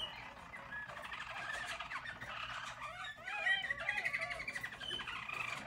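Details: Singing yellow Harz German Roller canaries from a 2022 team produce a smooth, muffled rolling song that brightens midway into louder, quicker trills and a sustained whistled glide.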